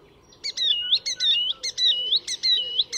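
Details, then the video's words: Icterine warbler singing at Fysingen reserve north of Stockholm, Sweden, a master mimic: loud repeated phrases of sliding, wavering whistles and sharp chirps, each burst about a third of a second, with short gaps between. "Icterine Warbler in full song; A master of mimicry…"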